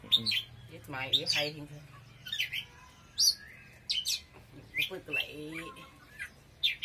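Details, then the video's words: Oriental magpie-robin pouring out strong song, with sharp high whistles and rising and falling slurs in spaced phrases; low voice-like sounds and a faint hum appear in the background. "Choè than hót cực khủng"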